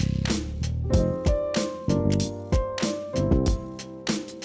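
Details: Plucked, piano-like music plays in regular struck notes with sustained tones, and no bird chirping can be heard.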